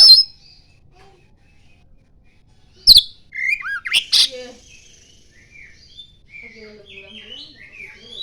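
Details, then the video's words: Oriental magpie-robin singing with common iora mimicry: a quiet start, then a loud sharp click, a burst of rising and falling whistled slurs and a harsh rasp, trailing into soft chattering notes. "Kacer gacor NGIPAS - NGIPAS isian burung CIPOW"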